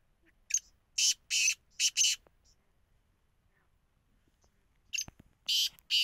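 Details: Grating, harsh notes from a black francolin: a short note and three loud, scratchy blasts, a quiet gap of about three seconds, then the call begins again with a short note and more rasping blasts.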